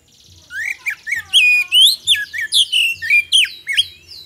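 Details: Lure recording of a magpie-robin singing, played to draw a quick response from other birds. Bright whistled phrases mixed with harsh squeaky notes pour out in a fast, uneven series of about ten bursts.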